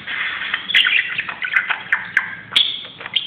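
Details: Pet budgie acting crazy on a closet, giving a dense, fast warbling chatter of grating chirps and rising squeaks, with a couple of sharp bright notes near the end.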